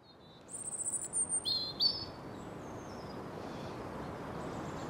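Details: European robin singing in spring: a short phrase of thin, high whistles and quick trills, then quieter fading notes over a steady hiss of background noise.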